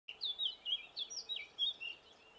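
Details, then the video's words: Eurasian blackcap in northern Gran Canaria in May 2020, singing a quick, varied warble of clear, fluty notes that rise and fall without pause over a faint background hiss. "Canto de la Curruca capirotada"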